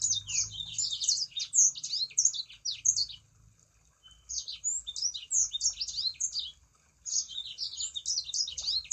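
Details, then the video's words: Lure song of a Sangihe shrike-thrush, meant to prompt other sanger birds to sing: three bursts of fast, high-pitched chattering notes separated by brief silences. A quiet low rumble runs beneath. "Pancingan Burung Sanger Supaya Ikut Gacor"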